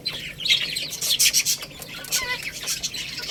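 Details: Baby chickens feeding on rice: short, high squeaky peeps rise out of steady pecking and rustling, with a few clearer tonal cheeps near the end.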